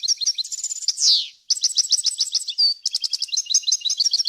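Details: European goldfinch, clean song for tutoring chicks: quick twittering ending in a descending buzz, a brief pause, then a long run of sharp liquid notes with a short pure whistle in the middle.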